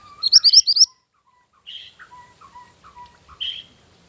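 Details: Mantenan gunung bird song for luring and training: a fast burst of high rising whistles, then softer, lower, more varied chirps and short whistled notes spaced irregularly.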